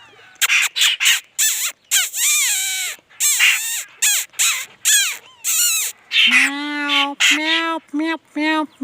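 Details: Laughingthrush singing: a fast string of loud, clear whistled phrases with steep up-and-down slurs, broken by short pauses, ending in several lower, nasal, harmonic-rich notes.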